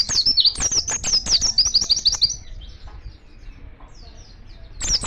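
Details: Oriental white-eye in full song in the wild, calling to other white-eyes: a dense two-second string of rapid, high, twittering chirps, a quiet gap, then a fresh burst beginning.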